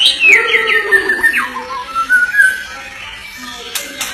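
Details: White-rumped shama singing: clear whistled notes sliding down from high to mid pitch in the first half, then softer warbled phrases, with faint clicks and room noise.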